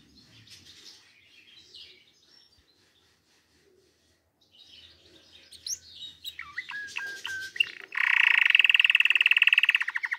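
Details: Canary singing: soft scattered notes at first, then quick whistled slides, building into a loud, dense, buzzy rolling trill that continues for several seconds.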